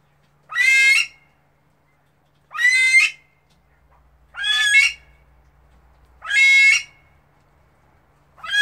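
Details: A female Himalayan monal (Lophophorus impejanus) gives loud, harsh, ringing squawks, each about half a second long, repeated every two seconds over a faint low hum.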